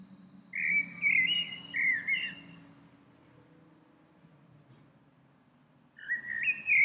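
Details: Small bird singing in spring from a tree it visits several times daily: short whistled phrases with mid-pitched slurred notes, two bursts early, a pause of about three seconds, then another phrase, over faint low background rumble.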